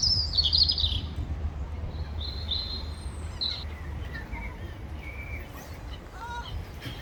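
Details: Gulls squabbling over food give a burst of shrill squealing at the start, then drawn-out whining notes that fade into scattered faint calls over low rumble.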